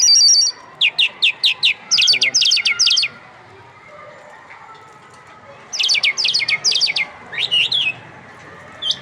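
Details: Irani lark, called jal mushadi, singing: bursts of rapid, repeated high sweeping notes, a long pause, then another fast trilled burst and a short rising phrase.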